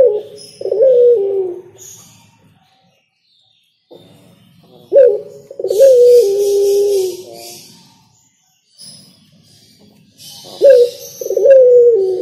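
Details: Spotted dove repeating its cooing song about every five seconds: a sharp short note then a drawn, descending husky coo, with bursts of high hissing noise and scattered bird chirps in the background.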